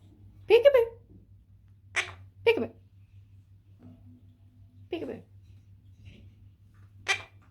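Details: A foster Quaker (monk) parakeet utters short, raspy, speech-like bursts, mimicking the repeated word "peekaboo" during play with its keeper.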